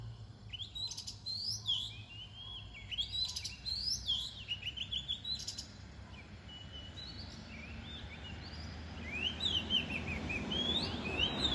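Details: Oriental magpie-robin singing near dawn: clear whistled phrases, rising then falling and sliding, given in bursts with short pauses and swelling louder toward the end, over a steady low hum.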